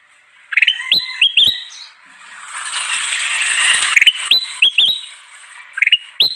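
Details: Kutilang emas bulbul in animated song suited to luring wild birds, quick rising chirps in short clusters, with a broad rushing hiss building in the middle before the chirping resumes.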